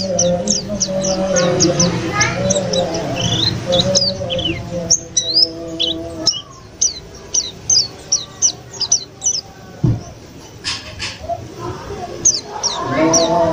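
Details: Newly bought white-eye, bought from a bird trader and kept at home for three days, singing steadily after being sunned at midday and then cooled; rapid high, thin chirps repeated in quick runs, with a human voice murmuring in the background.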